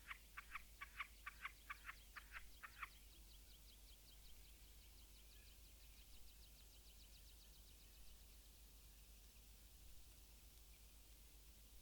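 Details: Red-throated loon (Gavia stellata) at its nest gives a quick series of about eight harsh, cackling notes over three seconds, then falls quiet; faint rapid high ticking and low wind rumble continue.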